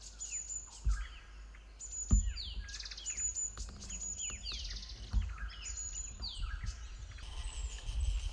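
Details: Green-backed tit pair calling frantically around a tree nest-hole as a yellow-throated marten eats their young; dense overlapping downslurred chips and high piercing notes pour out continuously, punctuated by several dull knocks.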